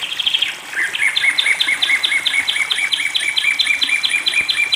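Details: Long-tailed shrike, bathed as water therapy, sings a rapid chain of high, rising chirped notes, around fifteen in a row, after a short varied opening twitter.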